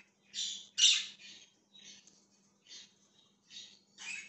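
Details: Budgerigar chirps recorded 20 January 2023: a loud raspy squawk near the start, then short buzzy chirps spaced roughly every three-quarters of a second, separated by clean silences, faint hum underneath.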